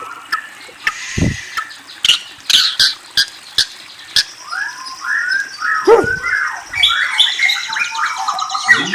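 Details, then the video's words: White-rumped shama (murai) song that opens with a series of dry clicks and taps, then gives way to a flowing sequence of curved whistled notes and trills in the second half. "Murai Bird Whistles and Trills"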